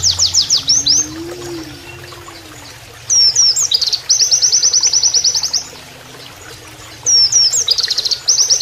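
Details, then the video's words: Oriental white-eye imitating canary song as a training master, with added running-water sound: descending high slurred notes, then quick bursts of rapid repeated trilled notes separated by short quiet gaps. "MASTERAN PLECI NEMBAK KENARIAN"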